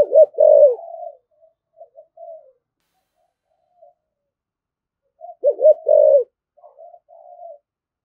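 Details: Spotted dove giving a vigorous 'thúc gù' coo in the 'thổ' voice style: two loud arched coos followed by soft trailing notes, the phrase repeating after a silent gap of about four seconds.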